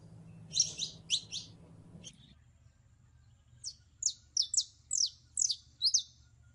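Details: In heat, a female canary calls a male to mate: a burst of three buzzy high chirps, a quiet gap, then a steady series of sharp slurred tweets roughly every half second.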